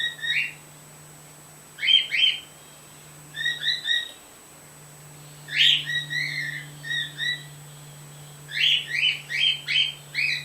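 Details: Caged white female bird, kept alongside a male, calling through a screen door: short bursts of two or three squeaky, chirping notes repeated every couple of seconds, over a steady low electrical hum.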